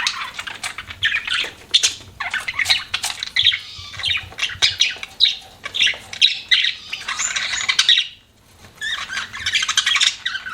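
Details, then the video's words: Pet budgerigars chirp in quick, raspy clusters with sharp clicks and whistled notes, a brief hush late on before the chatter returns. "BUDGIES CHIRPING SOUND"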